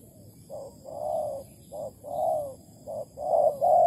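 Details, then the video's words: Malaysian spotted dove serving as a trap lure, August 2020, giving soft mellow coos: brief notes alternating with drawn-out, rounded hoots in a steady back-and-forth pattern. "Bẫy cu gáy bằng mồi trần Malaysia/ Tekukur Malaysia"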